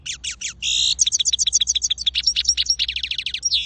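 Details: Goldfinch singing a quick liquid twitter: clipped high notes, one brief buzzy burst, then rows of rapid sliding chirps and metallic tinkles in a continuous, bubbling stream.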